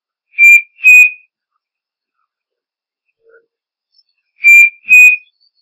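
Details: Striped cuckoo song: two clear whistled notes, the second slightly higher, given as a pair and repeated after about four seconds, with a quiet background.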